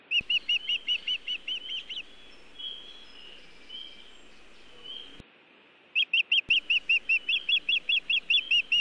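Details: Osprey at a Montana nest on an early June 2017 evening, bringing nest material but no fish; rapid high chirps, a lull with faint whistled notes and clicks, then another fast burst of calls.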